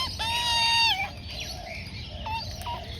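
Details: Juvenile Australian magpie about 4-5 months old, being fed rolled oats and wombaroo by its mother, gives a loud drawn-out harmonic wail followed by quieter short rising and falling notes; low rumbling background.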